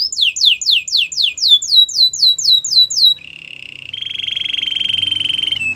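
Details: Canary singing a training song: a rapid series of descending whistled slurs, about four per second, then a steady high buzzy trill and a faster rattling trill.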